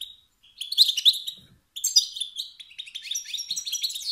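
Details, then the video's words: Stimulating calls of a wild male goldfinch that rouse rivals' urge to dominate; a lone whistle, then a rapid, fizzy cascade of chirps and twitters. "ستستات و بتبتات ذكر الحسون الخلوي التي توقد النار في الذكور الاخرى"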